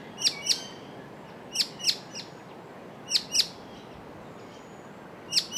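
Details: A white-cheeked honeyeater darts between perches in the bush, calling while searching for its mate, which answers off screen nearby: sharp, high, doubled chip notes, a pair about every one and a half seconds, over a faint steady hiss.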